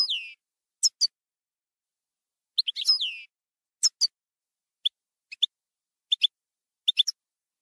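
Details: European goldfinch, campero style: scattered sharp chirps and a couple of twittery bursts with a descending buzzy note, separated by silences, then short paired high notes repeated about once per second. No other sounds.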